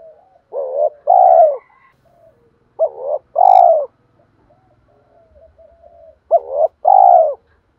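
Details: Spotted dove lure call for attracting other doves: three evenly spaced phrases, each a short bent note and a long, strong, downward coo, with quiet burbling between them and faint low rattling.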